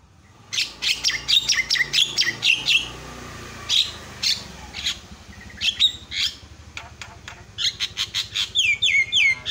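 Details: Javan myna calling loudly to get other mynas to call: clusters of harsh, scratchy squawks and clicks in bursts, ending in a quick sequence of squeaky, wavering whistles, with a low hum underneath.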